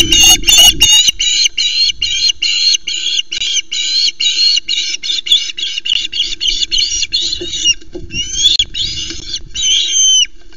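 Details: Osprey at a nest on Loch Arkaig, live nest camera, 1 September, late in the day, the male bringing three small flounders for the chick. Rapid series of loud, high, squeaky harmonic chirps about three per second, ending in longer downslurred calls, over a steady low hum.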